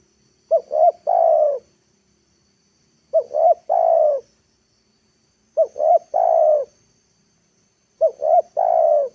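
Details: A lure spotted dove calls so that wild birds come down to the ground, giving four even phrases of two short coos and a longer, falling husky coo, spaced about two and a half seconds apart against quiet.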